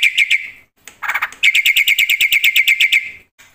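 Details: Loud black-winged myna singing vigorously with full fill-ins: a few ringing notes, a rough harsh burst, then a fast, even series of sharp whistled chips, about five per second, before stopping.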